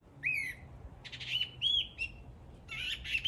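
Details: A bird sings three short phrases: a bright slurred note, then a cluster of clipped, ringing chirps, then a final burst of rough notes, with a faint low hum underneath.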